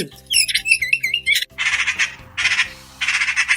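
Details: A Eurasian magpie (Pica pica), presented as a wintering bird, gives three harsh, rattling chatter bursts, each under a second, after a run of higher twittering notes, with soft background music throughout.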